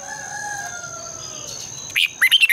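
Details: Morning lure song of a red-whiskered bulbul, meant to spur competitive singing in training birds. After a long stretch of low drawn-out tones, a brief run of four or five high, chirpy warbled notes arrives at the very end.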